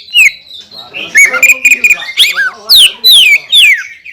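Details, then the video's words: Greater green leafbird, a kept songbird, in full song meant to provoke other leafbirds into singing: loud clear whistled slurs and sharp downslurred notes, with short chattering bursts between phrases. "PANCINGAN CUCAK IJO GACOR YANG BIKIN BURUNG CUCAK IJO LAIN EMOSI DAN LANGSUNG GACOR"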